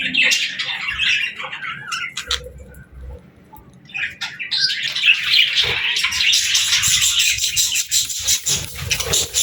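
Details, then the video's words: Parakeets at play with song and talk, giving bright high chirps and twittering warbles that ease into a softer lull midway, then build back into continuous overlapping chatter. "Parakeets Playing, Singing & Talking | Relaxing Chirping Sounds"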